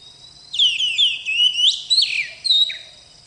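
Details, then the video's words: Short burst of song from a kept oriental magpie-robin (kacer bakalan): bright whistled slides and crisp chirps strung together in about two seconds, with faint low background noise. "Kacer Gacor"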